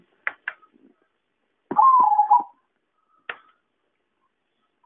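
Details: Zebra dove lure call used for trapping birds: a single burbling coo phrase, about a second long, sliding slightly downward, with sharp clicks and knocks before and after it.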